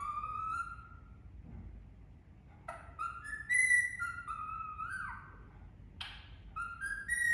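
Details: Singing Indian ringneck parrot: a long whistled note, then a string of stepped whistles rising and falling, a brief harsh squawk near the end and a final rising whistle.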